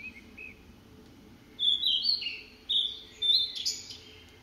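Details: Song of a blue-and-white flycatcher, 24 June 2017: after two quiet notes, loud high whistled phrases burst out in three bouts, sweet and slurred with sliding notes, over a low background hum.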